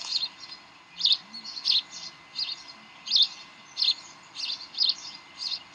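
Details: Bald eagles at the Decorah nest at 7:45 pm on 18 May 2012, playing tug of war: high, piping chirps repeated roughly every two-thirds of a second in a loose, even rhythm.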